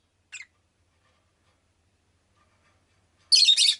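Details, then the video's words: A brief faint chirp, near silence, then a loud rasping burst of rapid shrill chirps from a pet rosy-faced lovebird. "Lovebird Chirping Sounds"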